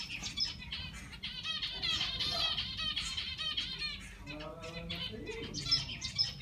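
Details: Zebra finches in an aviary while grass is readied as nesting material: a dense chorus of overlapping short, high, buzzy chirps from several birds, with a brief lower sliding sound and a soft rustle near the end.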